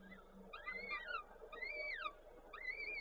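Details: Drawn-out, arching wails, about three in as many seconds, each rising then sliding down, from peregrine falcons at a Koszalin, Poland nest on 13 May 2022 while the male brings prey and the female feeds the chicks.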